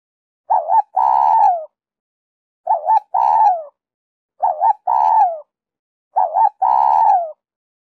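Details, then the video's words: Spotted dove singing in the 'Giọng Kim 2 hậu' voice style, played as a lure to draw wild doves. Four phrases arrive about every two seconds. Each is a quick double note, then a long, low, slightly falling coo, over a clean, quiet background. "Cu gáy Giọng Kim 2 hậu víp kích bổi nhanh nổi/Tiếng cu gáy kích bổi nhanh gáy"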